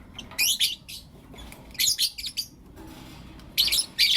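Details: Lovebirds of the blue opaline and lutino opaline colour forms calling in the morning, loud, rasping chirps in rapid groups of two to four, separated by brief quieter gaps, no other clear sounds.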